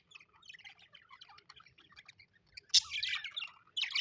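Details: Pet budgerigars chirping happily: soft, rapid twittering notes that give way to loud, harsh chattering bursts of warbled squeaks.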